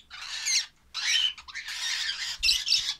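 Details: Lovebird chicks utter loud, grating, drawn-out squawks that run almost unbroken for three seconds, rough and broadband, with a couple of dull low thumps near the end.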